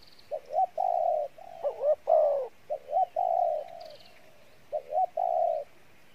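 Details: Spotted dove, field-caught, cooing in the Pha Bài Lối style. Low double notes and longer coos sound over a noisy, hissing background, with a loud swooping coo in the middle and faint high chirps.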